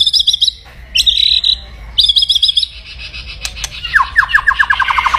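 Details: Loud white-rumped shama in aggressive kretekan style meant to rouse rivals: high rattled trill phrases repeated three times, then a falling series of quick descending chips.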